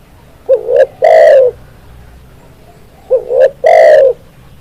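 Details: Spotted dove sings two loud cooing phrases, each a soft rising lead-in and quick double note followed by a long, full coo, spaced about 2.5 seconds apart with little other sound.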